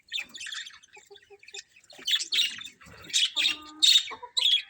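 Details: Budgies from a colourful colony give a few soft chirps, then louder squawky warbles and scratchy calls in short separated bursts.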